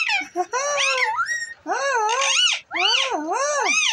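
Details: Talking parrot giving continuous warbling, voice-like phrases with strong harmonics that swoop up and down in pitch, three long runs broken by short gaps.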